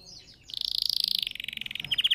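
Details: Red factor canary, sung as a lesson for young canaries; a short fast rolling trill that drops slightly in pitch, then a few louder sharp notes.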